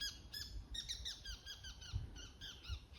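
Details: High-pitched 'kii' calls of a bull-headed shrike, its autumn 'takanaki' territorial declaration, near a bamboo forest at Showa no Mori, Chiba City, Japan, shortly after 5 a.m. Shrill notes come in loose pairs and short bursts over low background rumble.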